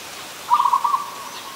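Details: One quick, trilled coo phrase from an adult zebra dove, lasting under a second, with pulses running together before fading, recorded in Ubon Ratchathani, Thailand, on 24 December 2020.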